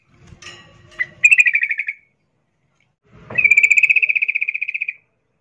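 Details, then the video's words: Sooty-headed bulbul, female in breeding condition calling to a male; a short rattle of repeated notes after a brief chirp, then a longer, fast, even trill of about twenty notes fading slightly toward the end. "Trucuk Betina memanggil jantan Suara NgeroL birahi"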